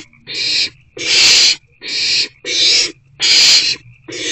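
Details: Owlet in a nest box at 7:50 pm on 1 April 2024, excited about the night's first incoming food delivery, gives harsh, hissing rasps, each about half a second long, repeated six times in quick succession with brief gaps.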